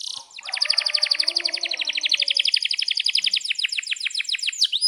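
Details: Domestic canary singing as a tutor song for young canaries learning to sing and for canaries that have stopped singing: a long rapid roll of repeated sweeping notes, shifting to slower downward-swept trills, with faint low background sounds.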